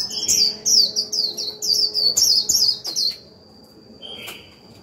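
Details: A caged lure Japanese white-eye delivers moderate 'líu' song aimed at exciting wild birds: a three-second run of bright, high, wavering chirps, each slurring down, followed by quiet and one lower buzzy note.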